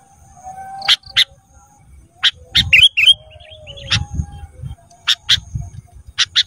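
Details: Sooty-headed bulbul song meant to train cage birds: paired sharp chips and a tumbling run of whistled notes, repeated irregularly, over a steady low murmur.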